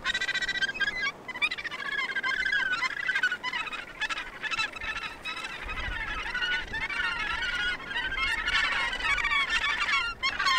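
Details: Dense, continuous clamour of harsh, rasping cries from many Australasian gannets at the Point Danger colony near Portland in Victoria, Australia, with calls overlapping throughout.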